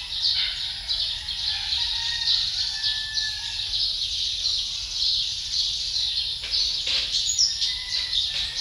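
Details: Male Philippine magpie-robin's varied whistled warbling, partly blurred by a constant background hiss, with a thin high tone running throughout.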